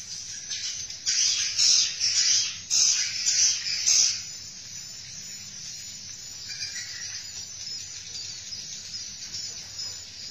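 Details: Mating swiftlets in Indonesia utter loud, hissing high chatter in several bursts over the first four seconds, followed by a steady insect-like hiss with faint chirps beneath it.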